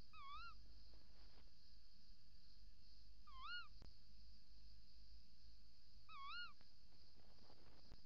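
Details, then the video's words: Three evenly spaced, wavering shrill calls roughly every three seconds from a female tawny owl in the nest hole on a December 2018 pre-dawn camera recording, male calling outside, faint crackle and hum throughout. "V roept in vlieggat/op de cam, M roept buiten"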